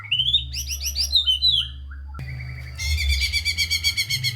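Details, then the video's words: White-rumped shama song for stimulating reluctant shamas: warbled whistled phrases with overtones, a short pause, then a fast, regular buzzy trill of repeated notes over a low hum. "Murai Batu GACOR Full ISIAN‼️ COCOK untuk Pancingan Murai Malas Bunyi dan Kurang Emosi"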